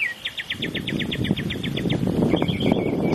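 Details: Northern mockingbird outside an office every morning, mimicking local sounds such as a squeaky swing and a car alarm; a rapid run of about fourteen squeaky high notes, then varied slurred chirps, over steady low rumbling background noise.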